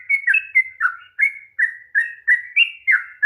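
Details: Long rolling 'ropel' song of a sooty-headed bulbul, used to stir a bird that will not sing: chirpy, slurred whistles rising and dipping, about three notes per second, with no other sounds.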